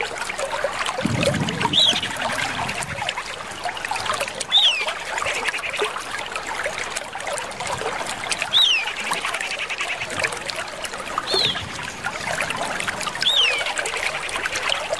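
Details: A common iora (Aegithina tiphia), apparently a female calling with a male answering, gives short, high, slurred whistles every few seconds over a steady background of trickling water.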